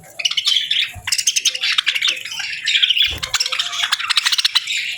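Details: A group of parakeets chirps during a winter-morning feed. Rapid, clicky twittering runs almost without a break, with rhythmic pulsing chirps and one short low thud partway through.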